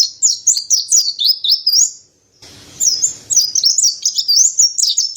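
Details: Mountain white-eye pouring out quick high twittering phrases of zigzag whistled notes, broken by a short silence before the warbling resumes.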